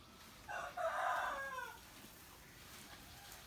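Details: Rooster crowing in the morning, a single crow of about a second and a half, loud and blurred in the middle, tailing off into quiet background.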